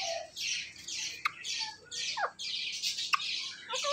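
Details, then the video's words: Pet talking parrot giving repeated harsh, noisy squawks roughly twice a second, with a few short descending whistled notes between them. "My So Friendly Talking Parrot's Talking Clips Compilation"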